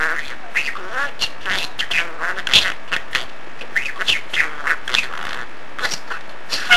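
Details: A male talking budgerigar, which mimics speech phrases, warbles in a fast, continuous stream of chirps, squeaks and scratchy chattering notes.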